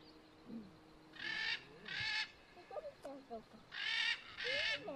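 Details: A military macaw gives four loud, harsh, grating squawks in two pairs, each about half a second long, while people talk quietly in the background.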